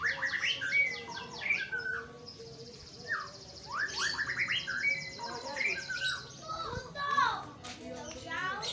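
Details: White-rumped shama pouring out a long, varied song of whistles, slurs and quick trills, with a steady high buzzing tone from another sound in the background.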